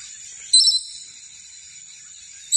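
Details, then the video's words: Scaly-breasted lorikeet gives a brief, shrill screech, with a second sharp note at the very end, over a steady high insect-like hiss. "Scaly Lorikeet Parrot Sounds"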